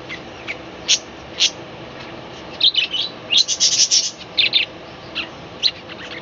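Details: Budgerigars in a small balcony colony chattering in the morning, many high chirps and squawky bursts, some clustered in quick runs near the middle, over steady low background hiss.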